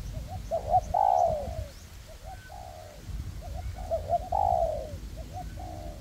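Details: Spotted dove decoys, a raised and a ground decoy cooperating in a forest to lure a wild dove for trapping, windy conditions. Quick double coos build into a loud, falling, rolled phrase, repeated twice, with wind rumble throughout.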